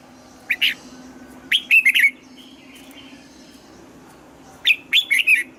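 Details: Morning song of a red-whiskered bulbul under training, delivered in the old wild double-note style. A short two-note call is followed by two fast phrases of four to five sweet, slurred whistles, about three seconds apart.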